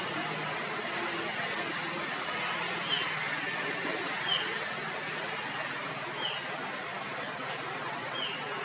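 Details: Rusty-tailed flycatcher in Kerala, India, giving brief thin call notes at irregular intervals, some mid-pitched and a few higher and sharper with a quick downward slide, against constant rushing background noise.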